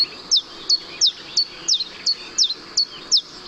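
Common Chiffchaff song: high, clear notes repeated about three per second, swinging steadily between two pitches, chiff-chaff-chiff-chaff, over a soft background hiss.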